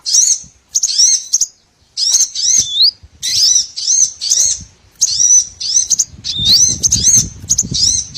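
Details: Small birds on a lure recording meant to attract all kinds of small birds for trapping: high, thin twittering chirps in short bursts separated by brief pauses, with some sharp rising and falling whistled notes.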